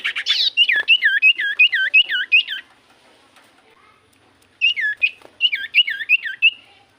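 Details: Common iora song used as a lure for other birds: a phrase of wavering whistled notes repeated about six times in quick succession, a pause, then two more similar bursts.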